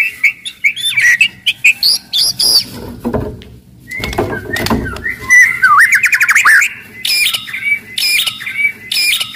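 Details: Aggressive, loud white-rumped shama in full song, used as a lure to get other shamas singing and fighting: varied clear whistles and rapid chirps, a fast warbled trill near the middle, bursts of rustling noise between phrases.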